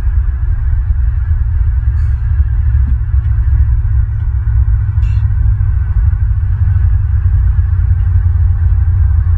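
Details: A loud, steady low throbbing hum and rumble fill the whole stretch, with a few faint clicks and no animal voice.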